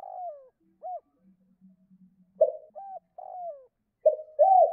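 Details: Spotted dove cooing in the two-note 'cốt' style to stir other doves: mellow falling and arched hoots mixed with louder rolling coos, and faint low, stuttering buzzy notes in one quiet stretch.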